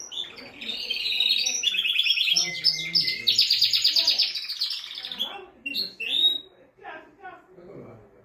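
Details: Canary male singing to excite a female for breeding: loud fast rattling trills of evenly repeated notes, a brief pure whistle, then scattered chirps and softer calls as the phrase fades.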